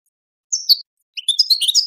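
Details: European goldfinch song for training and encouraging breeding goldfinches to mate: a short sliding note, a pause, then a dense burst of tinkling, jumbled twitters.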